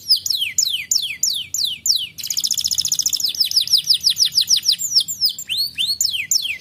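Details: Canary song used to stimulate other canaries to sing: fast series of downslurred whistled notes, then a rapid buzzy trill around the middle, followed by more repeated descending notes and a few rising slurs.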